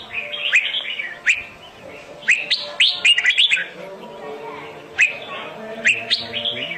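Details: Red-whiskered bulbul in competitive song, played to lure birds for trapping: short, bright warbled phrases with sharp rising notes, repeated roughly every second, over a low hum.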